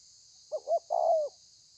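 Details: Single thổ pha coo from a kept spotted dove, 30/11/2020: a brief clipped note, a rising hoot, then a longer mellow coo that slides downward, against a steady faint hiss.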